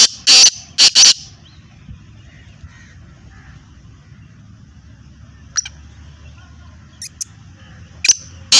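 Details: Kala teetar, the black francolin, kept in Hyderabad, Sindh. It opens with three loud, rasping notes in quick succession, followed by low rural background noise and several fainter, clipped calls scattered later.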